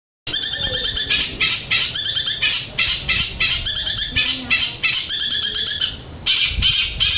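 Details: Long-tailed shrike singing a flowing stream of varied song material: rapid bursts of bright, high chattering and trilled notes in quick series, with short pauses between phrases, steady and loud throughout.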